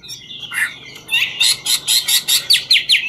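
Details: Dancing Chinese hwamei of the ngũ trường style gives a few soft slurred notes, then a loud, evenly spaced series of about ten strong whistled notes, with low background hiss throughout.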